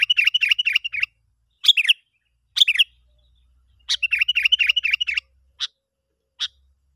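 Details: Sooty-headed bulbul call used as a lure to draw other bulbuls in: bursts of quick, bubbly chattering notes, then single sharp chirps, with clear pauses between phrases and no other sounds.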